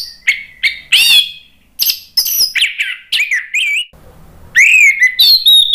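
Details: Orange-headed thrush (anis merah) in full, steady ngeplong song, used to coax birds that have stopped singing: loud high whistled phrases, some sliding and twisting, others short sharp notes, with one brief pause before more rich whistles.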